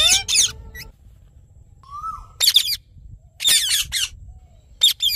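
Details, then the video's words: Rose-ringed parakeet uttering loud raspy squawks separated by silences, with a thin steady rising whistle in the middle gap. "Natural Parrot Sounds"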